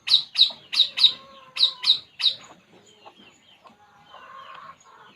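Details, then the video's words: Relaxed puling bird gives a quick run of seven sharp, high chirps about every third of a second, then trails off into soft, thin warbling notes. "burung puling"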